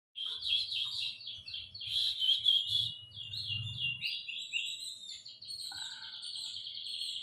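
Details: Canary singing a long, unbroken stream of rapid, high-pitched trills and warbled chirps. A brief, denser, rattling burst comes around the two-second mark, with faint low rumbling in the background early on.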